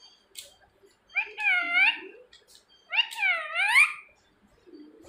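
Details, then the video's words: Pet parrot talking indoors, calling its owner's name; two loud, bending, speech-like phrases about two seconds apart, with faint low murmurs between. "मिट्ठू मिट्ठू बोलने वाला तोता.. Talking parrot"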